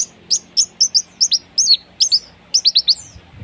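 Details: Lively long-tailed shrike (cendet) singing harsh phrases meant to coax a silent bird into song: a steady series of high, clipped chirps, each with a short downward slur, about four per second.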